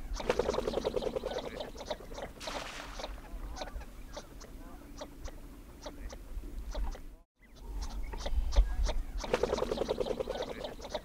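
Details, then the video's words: Northern Shovelers give quick, dry, knocking notes in rapid series, over a low murmur of more ducks calling. "Широконоска, голос, Жазы тумшук өрдөк"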